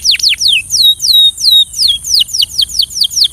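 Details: Belgian canary song for training: a string of clear, high whistled notes sliding steeply downward, some drawn out and flattening, repeated roughly three times a second over faint background hiss.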